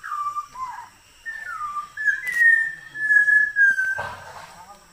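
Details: At Parambikulam Tiger Reserve in Kerala's forest, a small Malabar Whistling Thrush sings clear, human-like whistled phrases that slide between middle and higher pitches, with a rushing noise burst near the end.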